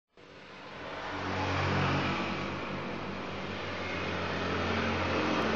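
Steady engine roar that swells into revving with broadband rumble and low droning tones; no bird or other animal voice stands out.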